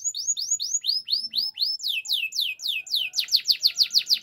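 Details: Canary training song made of a steady series of rising-then-falling whistled notes, about three each second, growing louder and richer toward the end.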